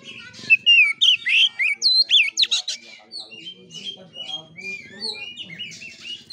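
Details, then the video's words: Oriental magpie-robin performing kura-kura fighting-style song: a dense volley of loud looping whistles and sharp squeaky notes, easing into quieter scattered whistles and chatter, with low background rumble. "KACER NGEPLAY TARUNG|GAYA KURA KURA"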